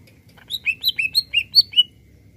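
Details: Greater green leafbird in lively full song, used to stir up other birds: a quick run of about eight clear whistled notes alternating high and slightly lower, each slurred, over soft low background hum.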